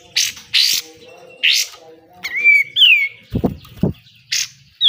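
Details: Pied triller besetan song for training caged birds: harsh broadband bursts alternating with sliding whistled notes, plus two low thumping knocks near the middle.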